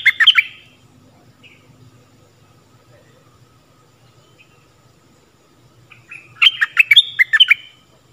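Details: Stripe-throated bulbul song phrases, used to teach young birds and draw in wild birds. A short, bright burst opens the clip, then a faint low hum during a long pause, and a second bubbly string of rapid notes follows.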